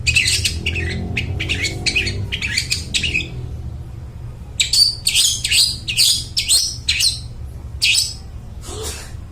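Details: A long-tailed shrike sings steadily and loudly as a lure for mute shrikes. Bursts of scratchy, buzzy high notes fill the first three seconds, a brief pause follows, then another dense chattering burst and a few scattered notes.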